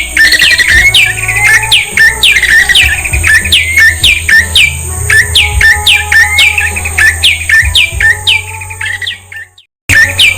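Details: Prinia song, with prenjak bawah, lumut, seke nangka and cekclek types named: loud, rapid, repeated descending chip notes, several per second, over a steady low hum and a constant high tone, with a brief break near the end.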